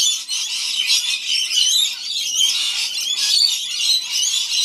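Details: Rainbow lorikeets crowding in to feed on a wet Gold Coast day, keeping up an unbroken wash of high, rasping screeches and chatter from many birds at once, with occasional sharper piercing notes.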